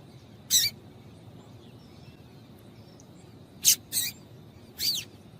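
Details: Calling female double-collared seedeater, used to stimulate the male: isolated short, high, scratchy chip notes separated by long pauses, one lone note then a close pair and a final chip.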